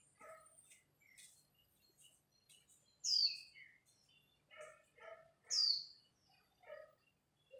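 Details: Japanese white-eye in a dawn singing contest: two loud, high, sweeping whistled phrases about two and a half seconds apart, surrounded by softer chirps and scattered lower notes from other birds.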